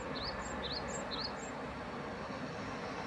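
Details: {'caption': 'Great tit repeating a two-note phrase, a rising whistle followed by a higher short note, three times in quick succession over steady low background rumble.'}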